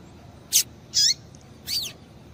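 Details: Female double-collared seedeater calling to stimulate a male: three high notes, a sharp chip, a longer buzzy call, and a falling slurred note.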